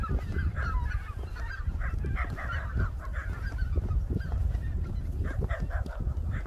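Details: Greater white-fronted geese wintering on the Cheorwon plain in the middle of the Korean peninsula. A flock gives continuous overlapping nasal honks and yelping calls, with many birds calling at once over a steady low rumble.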